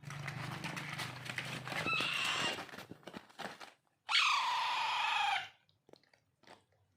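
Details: Begging Alexandrine parakeet chick at hand-feeding: a brief grating note, then a strong, long raspy screech sliding downward, with background rustle and then near silence.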